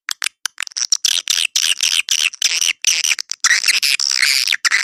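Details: Edible-nest swiftlet lure call for swiftlet houses opening with a few sharp clicks, then running into harsh, high, buzzy chirps in quick bursts.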